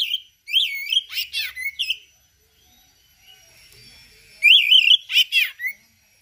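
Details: Oriental magpie-robin, a hobby bird in full gacor song with rare mimicked phrases: two bursts of fast, bright whistled warbles and rasping notes, with a near-silent gap between them.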